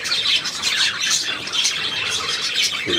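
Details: Budgerigars chattering in a steady stream of high, scratchy chirps and twitters. A brief low human voice comes in at the very end.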